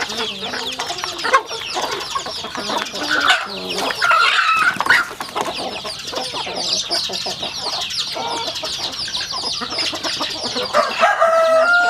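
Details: Rural home chickens on a farm while eating: a busy flock with rapid overlapping clucks and high chirps, about three per second, plus a few clear whistled peeps.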